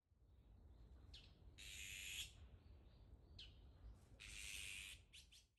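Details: Azure-winged magpie (Cyanopica cyanus), 15 December 2021, giving harsh, rasping drawn-out calls about a second long, twice in a few seconds, with shorter scratchy notes between, over a low background rumble.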